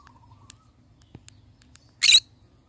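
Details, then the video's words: A pineapple-coloured green-cheeked conure gives a single harsh, raspy squawk lasting about a fifth of a second, with a few faint clicks and taps around it. "Pineapple conure sounds"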